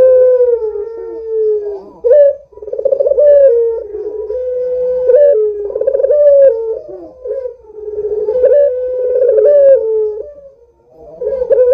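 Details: Barbary dove, described as a lively, frequent caller, used as a lure to get other doves calling: deep rolling coos, each a throaty burst easing into a long, slowly falling note, repeated several times with brief pauses.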